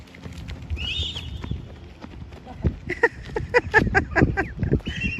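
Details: Several Canada geese, seen fighting and territorial on water and land, give a quick run of harsh, nasal overlapping honks over a low rumble of wingbeats as they fly off; a person exclaims nearby.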